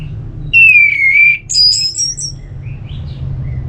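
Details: Orange-headed thrush singing in the loud, clear ngeplong style, played to rouse sluggish birds into answering: a long, slightly falling whistle, then a quick run of thin, very high notes, over a faint low hum.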